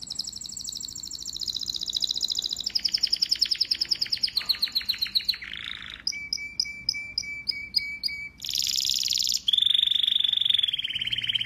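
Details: Singing male domestic canary in full song: fast high trills shifting into slower pulsed rolls, a low churr, crisp repeated chips, then loud sustained rattles and a falling trill.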